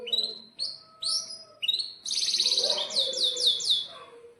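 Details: Canary in breeding mood singing a tutor song for young canaries: short clear whistled notes with brief gaps, then a sudden dense rattling roll that breaks into four or five looping downslurred whistles.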